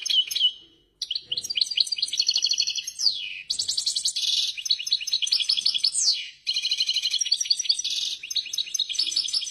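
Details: European goldfinch singing excitedly: a nearly continuous stream of fast, liquid twittering with buzzy rattles and several quick downward-sliding notes. Two brief breaks interrupt the stream, and no other sounds are heard.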